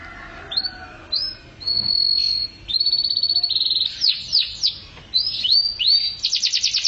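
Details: Canary performing 'mabok teler' song: upswept whistles, long steady high tones, a burst of rapid descending notes, then repeated rising phrases ending in a quick buzzy trill.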